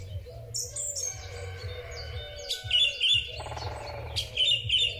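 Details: Springtime song thrush, recorded on a smartphone: varied whistled and chirping phrases, a rattling buzzy passage midway, then bright repeated notes, with a low hum underneath.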